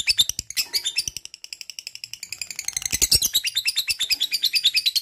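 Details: Ngekek chattering from a lovebird: a fast stream of shrill, rattling notes that softens and thins for a moment, then swells back into dense, loud chatter through the second half.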